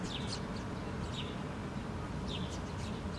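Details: Several wild house sparrows foraging on the ground in Helsinki, Finland, July 2013, one female feeding her fledgling; a few short, high chirps in small bursts over a steady low rumble of background noise.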